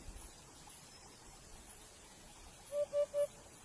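A chukar gives three quick, clucking notes, evenly spaced and fairly low, after a stretch of quiet outdoor background hiss.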